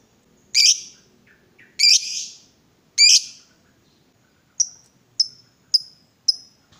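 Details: Provoked lovebird giving three loud harsh squawking bursts, then four short sharp high chips spaced about half a second apart.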